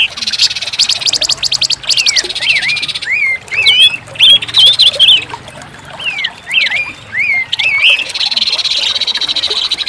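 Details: Orange-headed thrush singing: clear whistled phrases with rising and falling slurred notes in quick sequences, over a steady high buzzing background and scattered ticking clicks.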